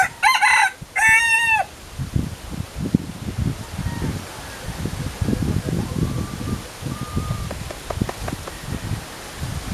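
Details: Philippine jungle fowl, one of a pair: a loud, harsh two-part crow with rich harmonics opens, lasting under two seconds, followed by faint whistled tones and low rustling and thumping noises.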